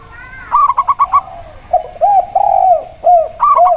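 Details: Local zebra dove, kept to draw other birds into song, gives a fast string of five clipped high coos, then a spotted dove answers with lower, drawn-out rolling coos before the higher notes return.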